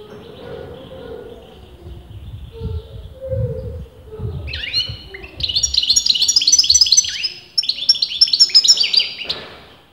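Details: European goldfinch, a caged bird whose sex is disputed among keepers, singing continuously: after about four seconds of low rumbling background, bursts of rapid high twittering and tinkling notes, loud and dense, run to near the end.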